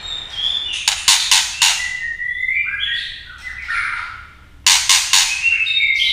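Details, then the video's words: Female white-rumped shama, singing to excite males, gives a string of sharp clicking notes, then varied sliding whistles, then another burst of rapid clicks. "chòe lửa mái hót kích trống. tiếng chòe lửa mái tạch kích chim lên lửa nhanh nhất"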